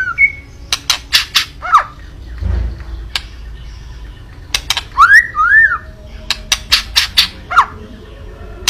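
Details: White-rumped shama in kretekan style, meant to provoke a rival's emotion: sharp crackling clicks in quick bursts, scattered short whistled notes and a rising slurred phrase, a low thump midway, quiet hum underneath.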